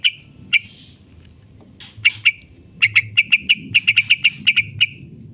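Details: Yellow-vented bulbul lure recording of its 'ngekek' chatter for training kept birds: a few scattered sharp chirps, then from midway a quick, steady run of bright, clipped notes over a faint low hum.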